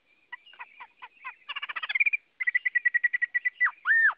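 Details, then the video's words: Chinese hwamei singing a varied phrase: a few scattered notes, then a quick rattling run of repeated chips, a steady string of evenly spaced whistled notes and two loud arched slurs at the end. "Tiếng Họa Mi hót | The sound of the bird Garrulax canorus"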